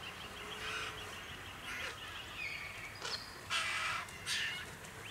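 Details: White-winged choughs in a clan in the Capertee Valley, NSW, in October 2018, amid open forest, woodland and tree-dotted farmland, give harsh, rasping grating calls in short bursts, about four in five seconds, with faint high chatter between them.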